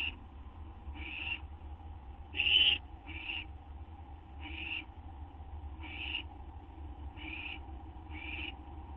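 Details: Owl at 12:38 AM on 8 September 2011, waiting to receive a gopher or vole. A long run of soft, hissy screeches about a second apart, with one much louder, harsher screech near the start.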